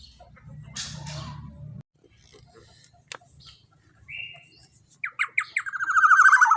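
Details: Black-naped oriole giving a long-burst lure call used to tutor other songbirds: faint scattered notes, then a rising series of sharp clipped notes running into a loud, harsh, buzzy, descending rasp with rich overtones. Low hum at the start.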